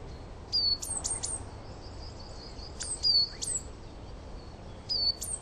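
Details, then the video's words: A coal tit in a garden sings varied short bursts of thin, very high, sharply pitched two-part notes, repeated in brief phrases about every two seconds, over a faint outdoor hush. "Coal Tit Song"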